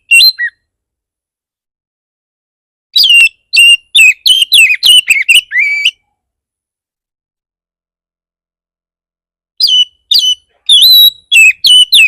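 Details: Oriental magpie-robin lure song in 'bar bar' style, for setting off other magpie-robins: two rapid bursts of strong, varied whistled notes separated by several seconds of silence.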